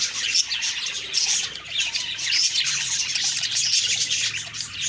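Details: Several budgerigars chirping in the morning, October 2, 2023; busy high twittering and squeaky warbles run on continuously, with a few brighter whistled notes standing out above the chatter.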